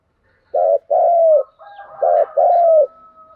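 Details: A spotted dove coos its luring call (thúc gù): two clear pairs of low notes, each with a short coo and then a longer one that droops at the end, with a faint thin tone between them.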